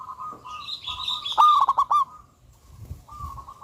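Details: Local wild-type zebra dove, a very active singer with a big voice, in a lure recording: a loud burst of five or six quick, rolling coos, introduced by a longer steady note, while other birds chirp higher and fainter in the background.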